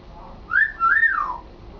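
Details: Domestic African grey parrot practising speech at home: one clear whistled phrase that rises, dips briefly, then arches up and glides slowly down, lasting about a second over a faint indoor hum.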